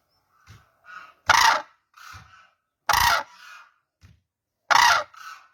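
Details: Cranes calling: loud, harsh, short bursts roughly every two seconds, with softer, lower calls between them.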